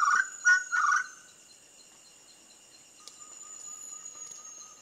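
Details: A Ferruginous Partridge singing live at a waterhole hide just outside Kaeng Krachan National Park, Thailand, gives three loud, rough notes in quick succession, then falls quiet over a steady high insect drone and faint background tones.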